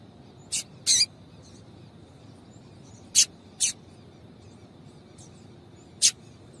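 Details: A female double-collared seedeater, whose calls are played to make males sing, utters brief, very high chips, mostly in pairs separated by a few seconds, over steady faint hiss.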